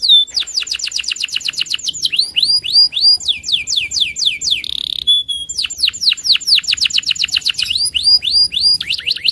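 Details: Agitated loper canary challenging a rival: long unbroken song of quick repeated descending whistle notes, about four a second, shifting between syllable types with one short buzzy burst midway.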